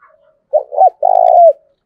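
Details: Single spotted dove phrase used to lure doves: a short double coo sliding upward, then one long rough level coo.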